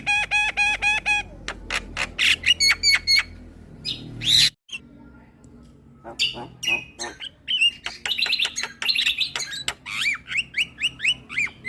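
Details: Javan myna chatter meant to make listening mynas noisy: ringing nasal notes, clicks and rasps, a short gap, then a long rapid string of sharp clicks and rising whistled slurs.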